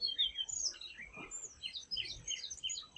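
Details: Tickell's blue flycatcher in Indian forest canopy, recorded with a Nikon Z8 camera: a busy stream of high, thin twittering and chirping notes running continuously through the clip, with a soft lower rustle near the middle.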